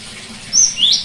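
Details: Cinereous tit song fragment for getting a silent bird to sing: one flat high whistle followed by a lower rising swept note, brief and clear over soft hiss.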